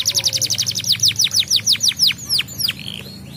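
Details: Canary song used to stimulate singing in other birds: a fast trill of high descending notes, slowing into longer falling sweeps, then a brief rising-falling whistle before fading; soft hum underneath.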